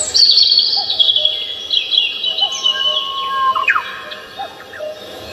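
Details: Chorus of birds on Namsan Mountain, Seoul: a loud high warbling run at the start, a long even whistle, then a sharp falling slur and softer scattered chirps over continuous noise.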